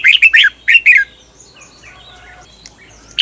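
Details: Red-whiskered bulbul cage bird on a training recording for the doubled "bernl": a quick phrase of warbled, downslurred notes lasting about a second, followed by soft calls of other birds in the background.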